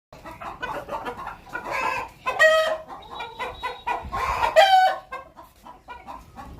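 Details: Domestic hen calling before going to lay an egg: rapid irregular clucks building into two drawn-out, nasal, harmonic squawks, with steady background hiss throughout.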